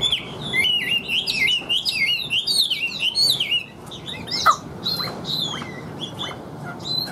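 A Chinese hwamei pours out a loud, rapid run of rich warbled whistles, rising and falling without pause, then breaks into sharper separate notes.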